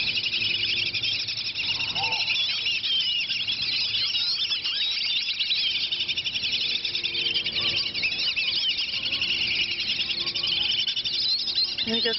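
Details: Whistling ducks fighting over food keep up a dense, nonstop chatter of high, squeaky whistles that overlap into a shrill din; a person speaks briefly.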